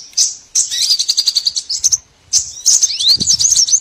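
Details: Small birds used as a lure for trapping: dense bursts of high, thin chirps and fast twittering trills, with one downward-sweeping whistle near the end and a short pause midway.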